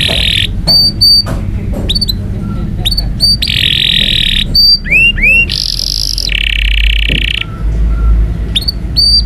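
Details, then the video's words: Indonesian canary song meant for training young canaries: varied phrases of rising whistled notes, sustained buzzy trills near the top of the range and quick downward sweeps, with a steady low hum and background noise throughout. "Canary Bird Singing - Indonesian Canary's Most Powerfull Song For Training Young Canary Champion"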